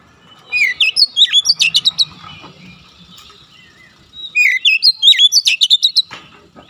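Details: Song of an oriental magpie-robin meant to train untrained birds to sing quickly and densely: two fast bursts of about a dozen sharp whistled and chipping notes, separated by a quieter gap with faint murmuring.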